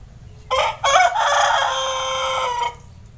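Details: Young Pelung cock, six months old and just starting to crow, recorded in the morning: a short opening burst, a brief break, then a sustained rich crow held roughly two seconds before stopping abruptly; low steady hum underneath.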